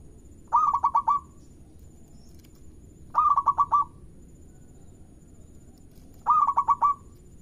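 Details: Local zebra dove singing to prompt other birds: three stuttering cooing phrases about three seconds apart, each five pulses merging into a brief sustained tone, against a quiet background.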